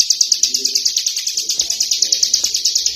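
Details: High, rapid chattering song from a tame prinia out of its cage, short bright notes repeated evenly about eight times a second throughout, a few soft low thumps beneath.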